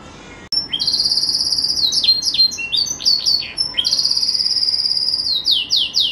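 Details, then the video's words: Green pet canary in full song: a long high whistled trill, a run of descending slurred notes, then another sustained rapid trill ending in downward sweeps. "Kicau Merdu si KENARI Ijo"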